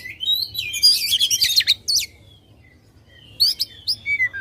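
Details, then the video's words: Oriental magpie-robin in loud contest-style song, used to provoke contest birds: a burst of fast varied chattering and whistled notes, then a pause with a few thin faint whistles, then a short sharp chattering burst. "kacer gacor ngobra suara lantang ampuh buat pancing emosi kacer kontes"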